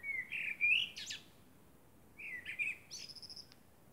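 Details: Under the night moon a common blackbird delivers two mellow, warbling whistles, each ending in a squeaky high burst; the second closes with a thin, rapidly repeated ticking trill.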